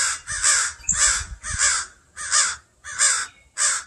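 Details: Crows protecting their fledgling from a person working in a yard give steady harsh caws, six in under four seconds, evenly spaced, with faint low tapping early on.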